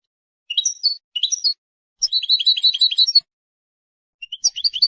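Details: European goldfinch singing to defend its territory and attract females: short bright twittering phrases, then a fast run of repeated high chirps, a pause, and another trilled burst, with clean silence between phrases.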